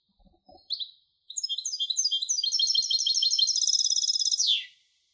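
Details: A goldfinch hybrid delivers a full twittering song: a few introductory chirps, then a fast continuous sequence of repeated buzzy notes building to a high rattling trill that slides down to finish.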